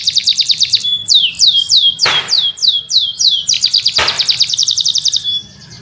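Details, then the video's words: Training recording of canary song for tutoring other birds: a series of sweeping downslurred whistles given about three per second between fast trills, broken by two sharp clicks, ending in a softer trill. "Masteran Mp3 Burung Kenari"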